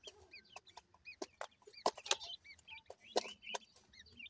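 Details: Young grey francolins, dakhni teetar chicks from Punjab, Pakistan, repeat arched, slurred peeps that rise then drop, several birds calling at once, amid frequent sharp pecking or tapping clicks.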